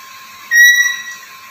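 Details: A single steady, pure whistled note from a Black-capped lory, a bird said to chatter and talk, held for roughly half a second at even pitch, with a constant low hum in the background.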